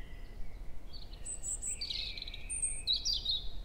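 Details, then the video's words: European robin song, early May at 7 a.m., woodland by Hoher Peißenberg, with a female nearby exchanging contact calls. Quick succession of varied high whistles and clear very high strokes, delivered in short bright bursts. "Rotkehlchen (4) - Gesang im Mai - 100 verschiedene Strophen in 11 min"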